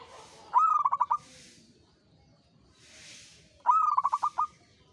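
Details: Zebra dove of a local type, singing often in the ngayer style. It gives two phrases about three seconds apart, each starting with an upslurred note and breaking into a rapid, bouncing string of clipped notes. Faint hissy bursts fill the gaps.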